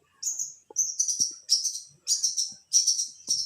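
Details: Lively long-tailed shrike giving high, thin buzzy phrases, each a stuttering trill of rapid notes, repeated about every half second.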